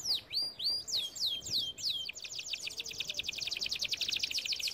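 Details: Canary singing for song training: a series of clear descending swooping whistles, then a fast rattling trill repeated many times per second.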